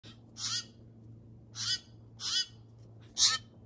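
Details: Steller's jays giving four harsh, raspy, noisy calls, each about a quarter second long, spaced irregularly, over a steady low hum.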